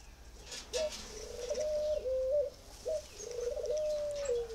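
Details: Spotted dove from a northern Vietnam bird-breeding farm in Ba Vì district, giving two low cooing phrases. Each is a short clipped note followed by a long, steady, hollow drawn-out coo that dips slightly at the end, over faint background hiss.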